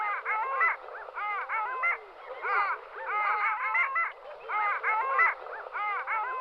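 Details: Long-tailed duck (Clangula hyemalis), flock calls.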